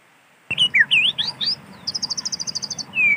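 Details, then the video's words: Forest-dwelling wild white-rumped shama: after silence, looping whistled notes begin abruptly, followed by a rapid even trill of about a dozen high notes and a final long, slightly falling whistle. "Suara asli alam burung Murai Batu"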